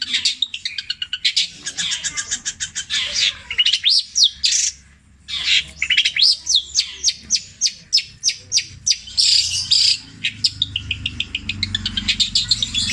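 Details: Long-tailed shrike held captive, a Java bird performing an extended petir-style medley imitating tengkek buto, kuntilanak and greja: dense chatter, swooping whistles, a short pause, then a long series of quick rising notes and scratchy bursts.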